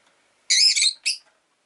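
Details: Rosy-faced lovebird calling with a loud, rasping chirp run of about half a second, then a shorter sharp chirp, harsh and high-pitched, against an otherwise quiet background.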